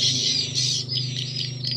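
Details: Stereo left-right swiftlet lure recording, call and roosting sounds combined, used to bring swiftlets into a bird house: busy high twittering chirps in quick bursts over a steady low electrical hum.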